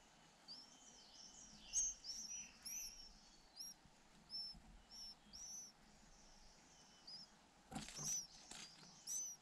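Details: Hungry white-eye nestlings, two chicks fed in relay by both parents, give thin, high-pitched squeaky chirps repeated irregularly, with a burst of rustling near the end.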